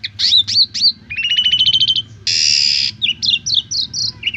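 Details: Asian pied starling tutor song for beginner birds: falling whistles, a rapid rattling trill, a harsh rasp, then a series of short chirps.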